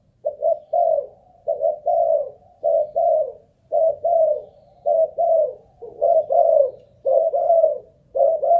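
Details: Ground decoy spotted dove cooing persistently for an endurance check, giving a long run of short, rounded double coos, evenly spaced, mellow and low, with nothing else clearly heard.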